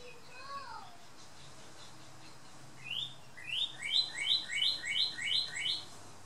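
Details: Male northern cardinal singing in a garden on the Big Island. A few soft falling whistles lead into a pause, then a fast run of about twelve rising, slurred whistled notes alternating between two pitches, roughly three per second.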